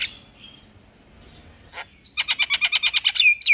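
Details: Javan myna song to encourage stressed, silent caged birds: faint whistles, then a rapid rhythmic chatter of about a dozen evenly spaced notes ending in a downslurred whistle.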